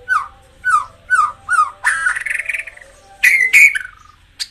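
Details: White-rumped shama song for rousing caged birds: four rhythmic down-slurred whistles about half a second apart, then a wavering rising phrase and loud harsh, grating notes ending in a brief high squeak.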